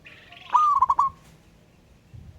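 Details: Local wild zebra dove singing in the ngayer style, calling to a rival: one cooing phrase, a steady pitched note that breaks into three quick stuttered coos, over a low background hum.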